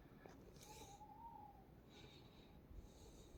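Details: Owl calling at night somewhere up the road, unseen: a single drawn-out, slightly rising whistled hoot about a second long, faint over low background rumble and a few soft rustles.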